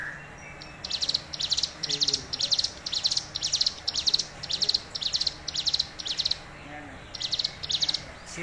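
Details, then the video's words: A tame hill prinia sings actively: a long run of high, sharp chipping notes, about three per second, broken by one brief pause, over faint background hiss. "Suara Ciblek Gunung Gacor"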